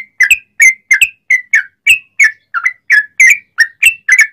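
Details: Energetic sooty-headed bulbul song, used as a lure for other bulbuls: crisp, bubbly chirps with quick pitch twists, about three per second, evenly spaced across the whole stretch.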